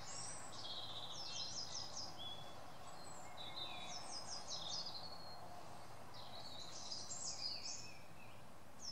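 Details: Eurasian blue tit on a tree stump in woodland, calling bright, high chittering notes in quick irregular bursts over a steady low rumble of wind or distant traffic.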